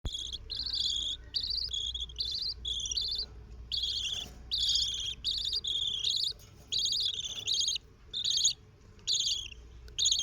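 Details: Four baby budgerigars raised by their parents give raspy, buzzy calls in quick uneven bursts, one after another.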